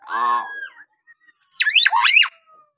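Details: Hill myna heard in a recording meant to make reluctant mynas answer: a nasal, harsh drawn-out call, a thin note, then a loud rapid series of zigzagging screechy squawks.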